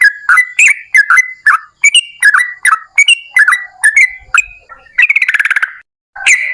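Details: Yellow-vented bulbul (trucukan) singing vigorously in the long rapid 'ropel panjang' style, used as a lure to prompt other bulbuls to sing: bubbly, gurgling short notes repeated about twice a second, ending in a fast buzzy rattle.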